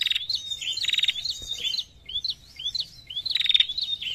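A female prinia gives rapid bursts of thin, high, upslurred chirps, repeated in quick chattering runs with brief pauses between them.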